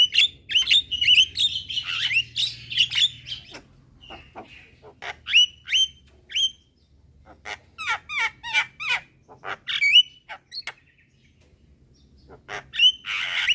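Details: Young Javan myna calling its mates in daylight, other mynas answering: bursts of clicks and bright whistled notes separated by short pauses, with a faint low hum early on.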